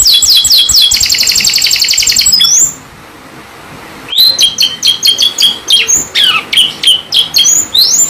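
A canary sings loud, high rolling trills and rapid chirps, with a brief pause before bursts of sharp rising and falling notes resume.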